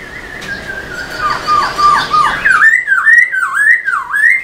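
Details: Black-throated laughingthrush, caged, singing with tail dancing to stimulate other birds: a flat whistle with soft dipping notes, then loud rhythmic undulating whistles rising and falling roughly twice a second.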